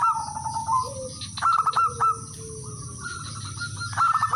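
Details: Local male zebra dove calling to rivals, used as a lure, with several birds joining in: clear fluted notes, a quick stuttering burst of clipped notes, and long even held tones; steady hum and faint chirps behind.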